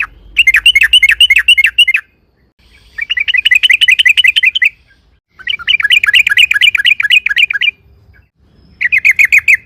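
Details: Rapid, loud chattering song of a yellow-vented bulbul, played to draw other bulbuls into singing; four long bursts of quick repeated chirps with pauses between them.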